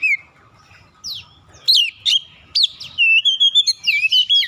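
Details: Lure song of a magpie-robin meant to set other birds singing: a clear whistle, scattered sharp downslurs, then a quick string of high whistled notes and a long steady tone.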